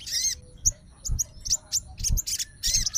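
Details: Caged sooty-headed bulbul of fighter type, kept as a song bird: short high sharp chirps and whistled notes in quick clusters, with low thumping knocks beneath.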